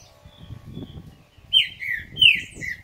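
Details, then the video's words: Caged green-winged saltator of the dobrador song style, singing loudly: after a murmur of low background noise, a few clear, bright whistled notes slurring downward, in quick succession. "TRINCA-FERRO DOBRADOR DE CANTO ESTE CANTA ALTO"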